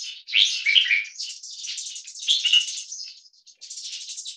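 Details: A 1.5-year-old crossbreed bulbul, 75% red-whiskered and stripe-throated, from a champion bloodline, in a loudness test, sings loud, bright, warbled phrases in two bursts with thinner hissy chatter between them.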